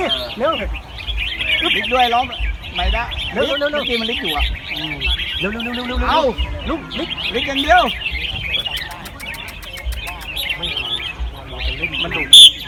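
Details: Red-whiskered bulbuls singing in a caged bird competition at Ban Khao Din field, Chonburi, Thailand; several birds give quick rising-and-falling warbled notes over a crowd's chatter, clapping and a brief burst of music.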